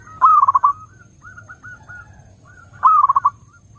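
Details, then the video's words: Zebra dove lure song: a loud, bubbling burst of quickly repeated coo notes, a stretch of quieter scattered coos, then a matching loud pulsed burst about two and a half seconds later. "SUARA BURUNG PERKUTUT _JERNIH_💯AMPUH_SEKALI PUTAR SEMUA PERKUTUT LANGSUNG NYAMBER"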